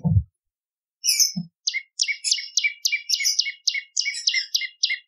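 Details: Bar-winged prinia used as a lure and training voice: after a low thump, a steady rhythmic series of doubled notes, each a bright high chip paired with a lower tone, repeated about three times per second.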